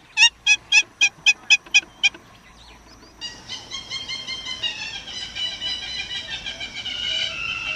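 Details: Hamerkop calling: a quick series of about eight sharp, high yipping notes at an even pace, then a softer, busier stretch of mixed higher chattering tones.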